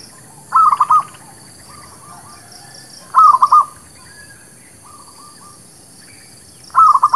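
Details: Local zebra dove song used as a lure for trapping and for new birds: three bursts of quick, rolling staccato coos, each about four notes. Softer, more distant dove phrases fill the gaps over a steady faint hiss.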